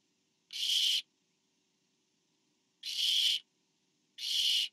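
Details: Barn owls during a parent's food delivery to an owlet; three loud, rough hissing screeches, the first followed by a long pause, the last two closer together.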